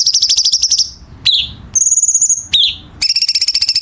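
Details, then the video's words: Chinese bulbul training song for contest birds with tight, harsh filling: a fast ticking trill, a downslurred whistle, a steady high whistled note, another falling note, then a rapid rattle. "Masteran Cucak Cungkok Istimewa ~Isian Kasaran Tajam Rapat"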